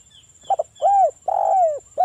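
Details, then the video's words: Local spotted dove giving its wild-style lure song to provoke answers from other doves: a stuttered double note, then a rounded coo, a long falling coo, and the start of another, all low and mellow. "SUARA BURUNG TEKUKUR ini PANCINGAN TEKUKUR suara Ngalas"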